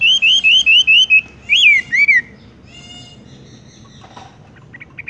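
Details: Horsfield's bush lark in 'tung roll' style: a crisp run of five identical rising whistles, then two louder swooping notes, followed by near silence with faint chips at the end.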